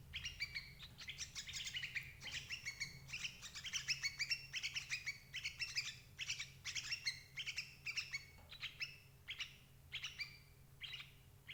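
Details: Sooty-headed bulbul, played as a lure to catch adult birds: dense runs of sharp, chattering chirps that thin out toward the end into spaced single notes, with a faint low hum underneath.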